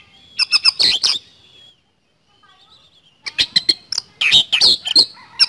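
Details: Oriental magpie-robin (kacer) singing in a lively 'nembak speed roll' style: rapid bursts of sharp, clicky high notes and brief whistles, a pause of about a second and a half, then another dense run of chattering notes.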